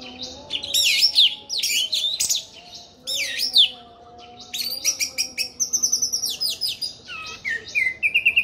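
An orange-headed thrush sings a loud, varied song of high swooping whistles and twitters, ending in a fast run of repeated sharp notes. A faint low hum sits underneath.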